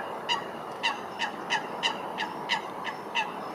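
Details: Eurasian coots fighting at Wilgenbos, Almere, Netherlands; loud, short, sharp 'pik'-like notes repeated roughly every third of a second in an uneven series, over a constant low background hum.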